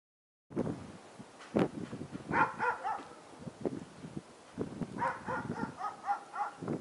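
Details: Fieldfare in late winter, when these thrushes feed on berries still left on the branches, giving harsh, chattering chack notes in two short bursts, separated by scattered dry clicks and knocks.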